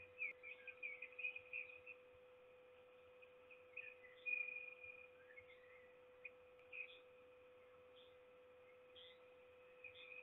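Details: Begging peregrine falcon at a Trzebież, Poland nest site, 7 May 2021, waiting for its mate to bring food; scratchy wailing calls in irregular bursts separated by pauses, with a persistent low electrical hum.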